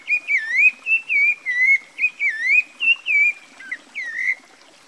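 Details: Rufous-bellied Thrush (Turdus rufiventris), Brazil, in melodious song: a continuous flowing string of warbled whistled phrases, rising and falling notes given about three per second with little pause, clear over a quiet background.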